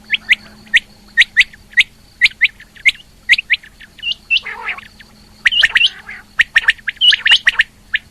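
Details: Female rain quail calling, recorded in 2020; sharp, high, clipped notes, often in quick pairs, repeated about twice a second, with a few harsher squawky notes and a steady low hum behind.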